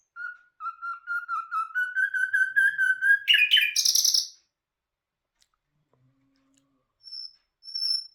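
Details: A common nightingale (Luscinia megarhynchos) sings a rapid run of about twenty rich, repeated notes that swell in volume and end in a harsh buzzy flourish, followed by two thin high whistles.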